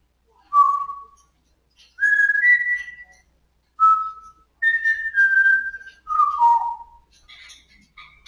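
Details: Pet African grey parrot indoors, in a recording of its first time saying "good morning". A string of clear whistled notes, some flat and some gliding down, in about six bursts over eight seconds, with a short, softer chatter at the end.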